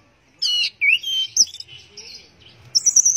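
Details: In teler style, an orange-headed thrush gives loud rich notes and a rising whistled slur, followed by softer warbling and a high thin whistle at the end.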